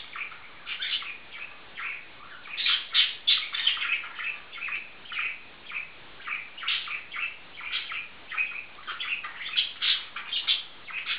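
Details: A bonded pair of male budgerigars kept as pets, chattering in a dense run of rapid warbled chirps and squeaky notes, rising and falling in bursts throughout.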